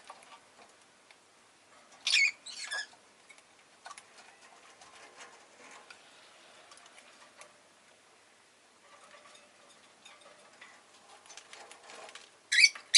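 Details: Rosy-faced lovebird kept indoors, with egg mentioned, giving a few loud harsh broadband chirps in two bursts near the start and one at the end, with soft clicks and faint street noise between.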